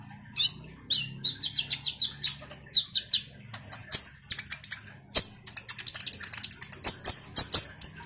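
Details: Common iora in full, busy song used as a lure for kolibri ninja birds: a continuous stream of rapid chirps and twittering phrases, mid-high notes at first, then louder piercing high notes repeated quickly.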